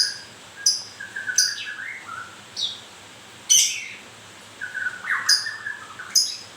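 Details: White-rumped shama during moult singing spaced sharp high clicks and scratchy notes interleaved with mellow sustained and slurred whistles.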